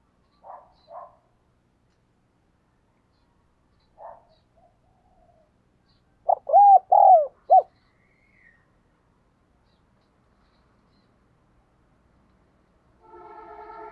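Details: Spotted dove kept as a decoy, urged to coo quickly to attract wild doves: a few soft single coos, then a loud burst of rolling throaty coos, ending with a buzzing noise.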